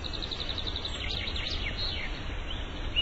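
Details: Birds chirping in the morning outdoors: a quick run of high, thin chirps and short twittering notes from several birds, over a steady low rumble of background noise.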